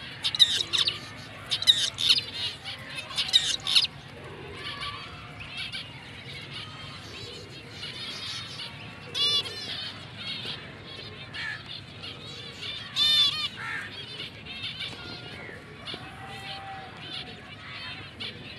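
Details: Black-breasted mutation zebra finches, a confirmed breeding pair, give bright, nasal chirps and buzzy calls in scattered bursts amid general aviary chatter.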